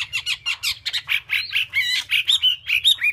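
Chinese hwamei pouring out a rapid, varied song of loud ringing whistles and harsher slurred notes, changing phrase several times a second, with a faint low hum beneath.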